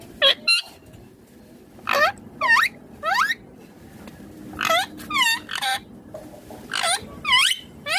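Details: Ringneck parrot chattering in speech-like phrases: wavy, nasal syllables delivered in short clusters with brief gaps, some rising at the end, over a low background hum.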